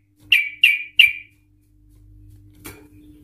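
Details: Sooty-headed Bulbul used as a lure to set other Sooty-headed Bulbuls trilling: three sharp, bright notes dropping slightly in pitch, evenly spaced about a third of a second apart, then a click and low hum.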